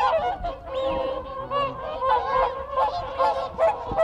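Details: Nearby whooper swans calling to stay in contact within their group, a pulsing stream of resonant honks swelling and dipping about once a second, with background calls of wigeon and Canada geese.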